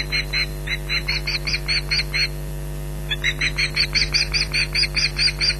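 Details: Two Ospreys at their Loch Garten nest, 15 July 2011, calling against a persistent intruder: two bursts of quick, shrill, slightly rising yelps separated by a short pause, low hum in background.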